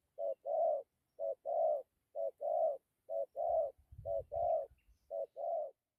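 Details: Cooing spotted dove, dặm with gù style: six steady paired phrases, each a brief note then a longer hollow coo, evenly spaced about a second apart, with a soft low rumble near the end.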